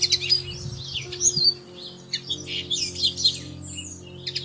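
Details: Bushtits, a pair raising a brood in plum tree branches in early May: scattered high, thin tsit notes and short twittering clusters with brief pauses, above faint steady low tones.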